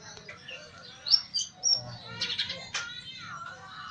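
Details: Caged greater green leafbird (cucak ijo) now singing frequently (gacor), giving a varied run of high whistles and quick buzzy chatter, ending with a lower, drawn-out slurred whistle, with a soft low hum beneath.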